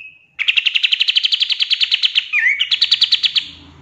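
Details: Pied triller song used as a training model for songbirds: a long fast rattle of repeated sharp notes broken by a brief twisting whistle, then continuing.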